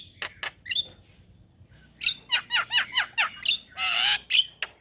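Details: Song of a Javan myna for teaching young birds: a few clicks, a long pause, then looping whistled chatter and a loud harsh screech.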